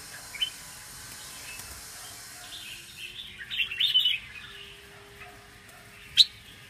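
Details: Captive red-whiskered bulbuls at a bird-breeding farm give a few brief, bright chirps, a quick burst midway and one sharp note near the end, over steady hiss and a faint low hum.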